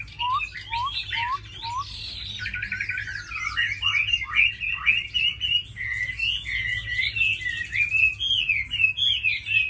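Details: Captive fighting Chinese hwamei opening with four short rising whistles, then launching into a fast, rich medley of warbled and trilled whistles that runs on without break; low hum in the background.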